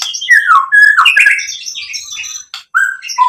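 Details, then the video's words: White-rumped shama song meant to provoke other shamas: rapid, rich sequence of slurred whistles and harsh squawky notes, dense and continuous, with a brief pause before a final descending whistle. "SUARA MURAI BATU memancing EMOSI jadi BUNYI NYAUT GACOR BONGKAR ISIAN | PANCINGAN MURAI"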